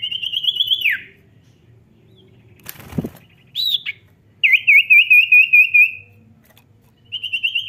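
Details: Vigorous Common Iora (cipow) song, meant to get sluggish cipow singing: a pulsed trill ends in a downslur. After a thud comes a short rising whistle, then a longer rippling trill of about ten notes, and another trill begins.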